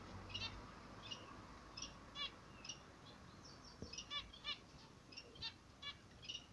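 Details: A pair of zebra finches in the morning sun gives short, nasal, harmonic-rich calls. The notes come one at a time, then crowd together in a quick cluster near the end, over a low background hum.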